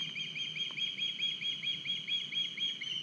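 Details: Young osprey arriving at an Estonian nest with a big fish on 9 August 2021, recorded by a live nest camera; high, thin chirps repeated rapidly, about two per second, in a steady series.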